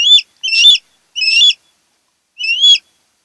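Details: Osprey (Pandion haliaetus) at a nest of a mated pair on Kent Island, Maryland, nest camera, 08-10-2018: four slurred, whistled notes with a rising inflection, spaced unevenly about a second apart, in an otherwise quiet background.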